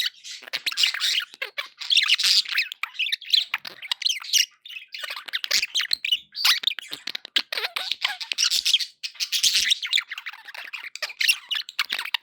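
Budgerigars chatter continuously with rapid, scratchy warbles, chirps and squeaky notes.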